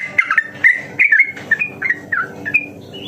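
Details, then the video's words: Yellow-vented bulbul delivering a fast, lively song used to provoke other bulbuls into singing; quick, liquid warbled phrases in a steady run, each short and bright, with the last notes rising in pitch. "suara burung trucukan masteran harian cepat ropel dan gacor"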